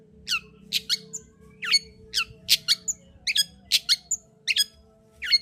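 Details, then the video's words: Long-tailed shrike singing to stimulate another bird: varied harsh, buzzy notes with sharp downslurs and brief high whistled tones, delivered in an irregular, rapid sequence over a low steady hum. "Pancingan Cendet Gacor Untuk Menaikkan Birahi cendet Malas Bunyi."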